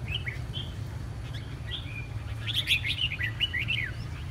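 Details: A red-whiskered bulbul recovering from chronic coughing and a hoarse voice. A few spaced whistled notes lead into a lively cluster of fast, slurred chirps over a low background hum.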